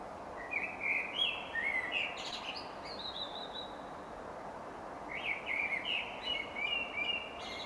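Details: A blackbird sings two unhurried, fluty, warbling phrases that seem almost random, each ending in a higher twitter, with a long pause between them over a soft hiss; often the first song heard at the start of the dawn chorus.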